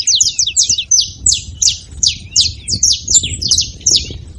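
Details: Saffron finches, wild birds at a feeder, making a racket: closely spaced bright chirps sweeping downward, roughly three per second, some doubled, from more than one bird, over muffled low-pitched background noise.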